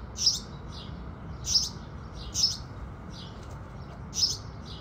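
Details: Sunrise song of house sparrows: loud clipped chirps spaced about a second apart, fainter distant chirps between them, with a soft continuous low hum beneath.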